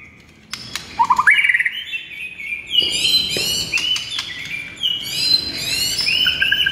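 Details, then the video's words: Morning training song of a white-rumped shama in gacor style, a rich run of varied high chirps and whistles with rapid rising notes and dense overlapping phrases throughout. "PIKAT MURAI BATU ANDA DENGAN MASTERAN MURAI BATU GACOR PAGI HARI INI"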